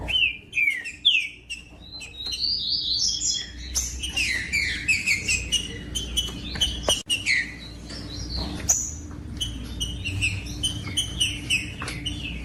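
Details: Rufous-bellied thrush song used to warm up captive thrushes: a long varied sequence of loud whistled, slurred phrases, rising and falling, delivered in quick bursts and later slower repeated notes, with a steady low hum.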